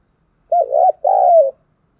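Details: Spotted dove used as a decoy, cooing to lure in wild doves. Two loud, low, mellow coos: a quick wavering double note, then a longer, smooth, slightly falling coo. The background is silent.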